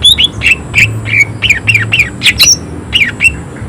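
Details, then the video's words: Greater green leafbird (cucak ijo), in full lively voice and singing harsh, high-intensity 'tembakan' bursts. It gives loud slurred whistled notes, many sweeping downward, about one every third of a second, over a faint low hum. "Cucak ijo gacor tembakan suara kasar emosi tinggi"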